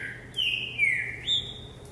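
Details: Green-winged saltator, a caged bird trained for vigor on a jumping perch, Christmas Eve 2020: a single loud whistled phrase of sliding notes that fall then jump back up, over a low steady hum.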